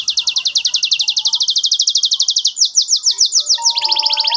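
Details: Canary singing a long rapid trill of evenly repeated high notes for over two seconds, shifting to quicker higher slurs and a final lower roll, with a faint steady tone in the background.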